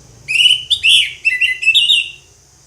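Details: Orange-headed thrush in full 'ngeplong' song: a loud, varied run of whistled and slurred phrases, rising and falling, with bright overtones, lasting about two seconds against a quiet background.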